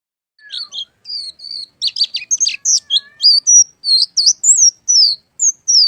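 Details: Oriental white-eye singing vigorously, a quick run of high, thin twittering notes and short whistled slurs, many rising then falling, tumbling together with brief gaps throughout; no other sounds.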